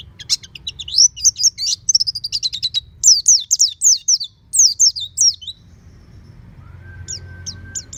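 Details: Caged oriental white-eye in home training, singing loudly with open beak: rapid high twittering phrases of sharp descending notes for five seconds, then a pause, a faint steady tone and a few last chirps.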